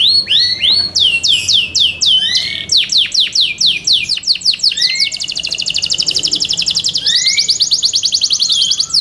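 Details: Yorkshire canary, a kept bird, singing loudly for competition: varied high whistled phrases, sweeping notes and fast trilled rolls at a steady pace, with occasional lower rising slurs.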